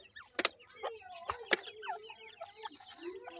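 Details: Grey francolin chicks kept in a captive breeding setup give thin, upslurred peeping notes, several overlapping in quick irregular succession, with a few sharp clicks and knocks cutting through.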